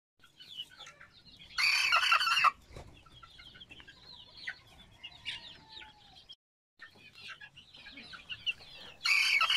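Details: A young cockerel about five weeks old, raised at a breeding farm, gives two short, hoarse, squeaky crows about seven seconds apart, with softer chirps and clucks between.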